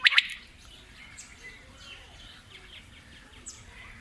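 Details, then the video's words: Quail (batair) call: two sharp, high clipped notes in quick succession, followed by faint scattered chirps from other birds in the background. "Batair new quail awaz best call sound"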